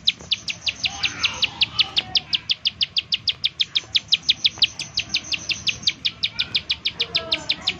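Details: Bar-winged prinia giving its rapid 'nembak' call, used as a lure to get other prinias singing: a long, steady run of sharp, high, downward-slurred notes, several per second, with faint lower bird calls behind.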